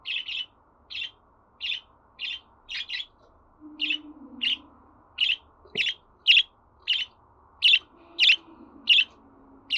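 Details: Pet budgerigar chirping steadily at about a hundred short, bright chirps a minute, some doubled. A faint low hum is heard in the background.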